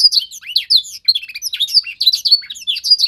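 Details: Trainee young canary learning tutor sounds sings a dense burst of high, rapidly sliding whistles and sharp chirps, nearly unbroken across the clip.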